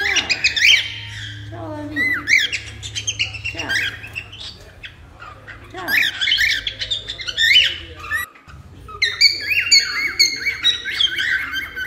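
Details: Cockatiel kept as a pet, used to tame another cockatiel: a busy stream of loud squawks, chirps and warbled whistles in bursts about every one to two seconds, with a brief silent break and low room hum.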